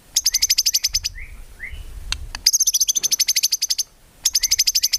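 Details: White-rumped shama training recording, busy song without clucking notes: long rapid series of sharp, evenly spaced high ticks, interrupted by a few short rising whistles, over faint low rumbling.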